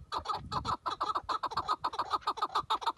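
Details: Tethered decoy chukar partridge calling before a partridge hunt in Turkey: fast, loud chattering series of harsh clucking notes, about two per second, running steadily throughout.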